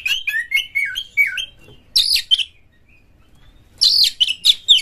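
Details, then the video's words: Oriental magpie-robin singing hard as a lure for other magpie-robins. A smooth chain of short looping whistles is followed by a harsh high burst, a brief quiet gap, then more rasping, strident phrases. "pancingan KACER Gacor buat Master KACER Buka Ekor KONSLET bongkar FULL MATERI KASAR agar Kacer Gacor"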